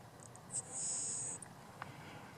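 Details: Le Conte's Sparrow from grazed Little Bluestem grassland in south central Oklahoma gives two faint high ticks, a sharp note, then an extremely high, hissing buzz of about 0.6 seconds and a closing tick; a soft click follows.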